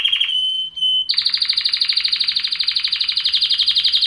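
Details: Canary with a pure held whistle leading into a loud, fast, pulsing trill repeated evenly for several seconds.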